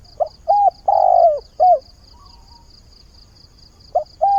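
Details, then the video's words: Spotted dove used as a lure bird, calling for a partner at dawn: a phrase of soft hollow coos with one long falling note in the middle, a pause, then coos resuming, a regular high-pitched ticking throughout. "Tiếng chim cu mồi giọng hạp bổi, ngày mới gáy gọi tìm bạn"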